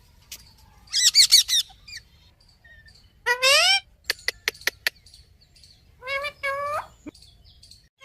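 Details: Rose-ringed parakeet giving three bursts of harsh, rasping, harmonic calls about two seconds apart, mixed with sharp clicks and a quick high chattering phrase.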